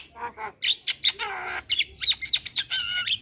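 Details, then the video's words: Lively black-winged myna song meant to prompt young mynas to sing: chattering notes, harsh rasping bursts and bright high whistles, closely spaced in a fast, varied run. "Pancingan Burung Jalak Kebo Super Gacor Jalak Kebo Muda Pasti Ikut Bunyi"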